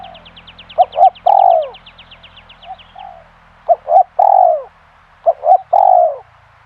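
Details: Pikat lure spotted dove (tekukur) repeating its phrase three times, each two short coos followed by a drawn-out falling coo, about every two seconds; a fast high ticking trill from another creature runs through the first three seconds.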